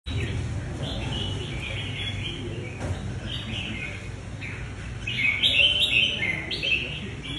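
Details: Caged red-whiskered bulbuls singing in the final round of a singing competition: bright whistled and warbled phrases, repeated in quick bursts and louder near the end, over a low background rumble.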